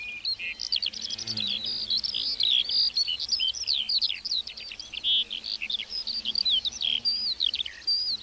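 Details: ['A lark in a meadow pours out an unbroken, high warbling song of rapid twittering notes, trills and slurred whistles that barely pause, over a quiet low background.']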